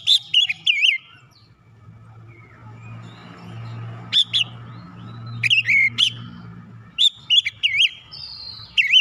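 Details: White-rumped shama singing, used to stir other shamas to sing: short bursts of looping whistled notes separated by long gaps, with a low hum and faint background noise between phrases.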